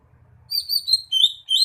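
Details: Greater green leafbird pouring out a fast string of high, thin, warbled whistles that shift in pitch, following a brief moment of low rumble.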